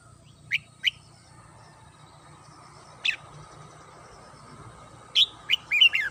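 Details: Red-whiskered bulbul kept at home, singing in the morning: short, loud warbled whistles rising and falling, one pair early, a lone note near three seconds, then a quick cluster of four near the end, over a low background hum.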